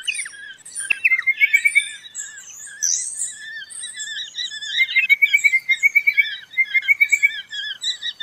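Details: Pardalote giving high, fast, rattling trills in runs of about a second, mixed with thin whistled and squeaky notes from more than one bird.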